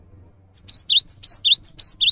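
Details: Gacor Cinereous tit song for tutoring other birds: after a quiet half second with a faint low hum, a repeating three-note phrase starts, a high pure whistle then two swooping lower notes, cycling steadily.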